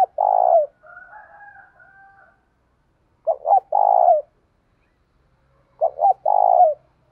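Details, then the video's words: Spotted dove, 'thổ' voice style, calling to challenge: a long coo, soft higher thin notes, then two full phrases of two short hoots and a drawn-out coo about every three seconds. "cu gáy thúc đấu giọng đồng thổ"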